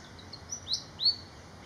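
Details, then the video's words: Malaysian pied fantail singing three short, high, sharp whistles that rise in loudness and slur upward. The notes are spaced about a quarter second apart over faint background hiss. "BEAUTIFUL BIRD SONG ❤️- Malaysian Pied Fantail"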